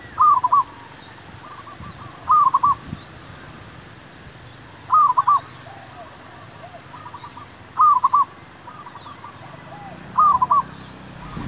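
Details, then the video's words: Decoy zebra dove sings while wild doves are lured for trapping. A loud, quick stuttering coo phrase returns roughly every two and a half seconds, five times in all, and quieter doves answer in the distance. "MEMIKAT MERBUK"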